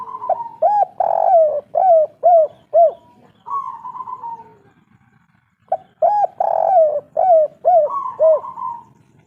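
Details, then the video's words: Spotted dove, local Indonesian kuk-3 style derkuku/tekukur, calling in a repeated coo phrase: a drawn note then three short hooked coos around the same low pitch, the phrase given twice with a pause between. "Derkuku kuk3 lokal gacor ngamuk"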